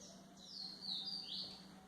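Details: White-throated seedeater song played for training young birds: a short phrase of slurred, whistled high notes that glide down and then sweep sharply upward, over a steady low hum.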